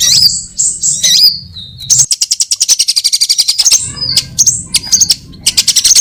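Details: Sunbird lure recording meant to attract all kinds of sunbirds for trapping: high, thin whistled notes and sliding chirps, then a fast dry rattling trill of evenly spaced ticks, ending in sharp sweeping calls with a low hum beneath.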